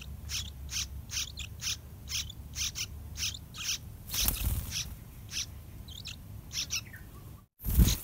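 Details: Begging from two yellow-vented bulbul chicks in the nest as parents deliver wild fruit and a big dragonfly; rapid series of scratchy rasping notes, a loud crackling thump midway, then a brief cut and a knock at the end.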